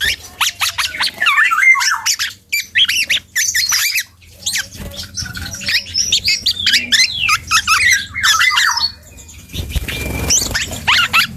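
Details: Young dark-throated oriole learning to sing: a rambling run of varied chirps, slurred whistles and scratchy notes in quick bursts, with brief pauses near the third and tenth seconds, over a faint low hum.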